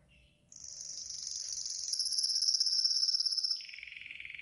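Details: Yellow golden canary training song for teaching birds: after a faint opening note, a long very high trill swells in loudness for three seconds, then drops to a lower steady roll.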